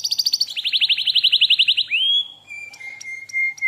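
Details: Canary master lure song: a high pulsed trill drops into a lower rapid rolling series, slides up into a whistle, then holds a steady pure tone with faint clicks.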